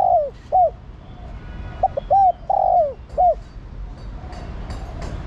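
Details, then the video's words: Female spotted dove calling for the male. Low, arched hoots that rise then fall, given singly and in pairs, with one longer swelling coo in the middle. "Cu gáy mái thúc trống + gọi trống cực nhay"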